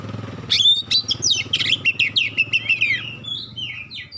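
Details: Magpie-robin song meant to provoke other magpie-robins into answering: sharp, clear whistled phrases and rapid rising-falling notes in a fast run, ending in thin drawn whistles, over a low steady hum.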